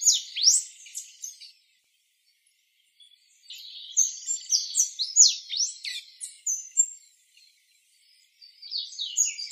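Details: An Orange-headed Tanager (Thlypopsis sordida) gives bursts of rapid, very high, thin chips and sharp slurred notes, a few seconds each with short silent pauses between them.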